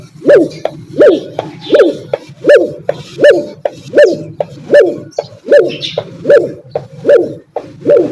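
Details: Dove, known locally as fakhta, calling with a long run of rhythmic hollow coos, each note sharp-edged and repeated roughly every three-quarters of a second in an unbroken series.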